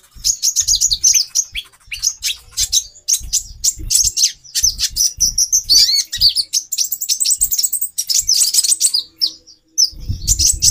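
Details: Female brown-throated sunbird, a captive bird, calling to arouse a male's mating drive: dense bursts of very high, sharp chirps and short twittering phrases, with dull low thumps beneath.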